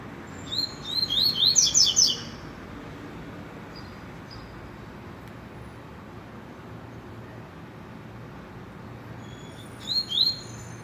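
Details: A rusty-collared seedeater gives a lively burst of rapid high whistles and chirps, then long quiet with low hum, then a short second fragment of high notes.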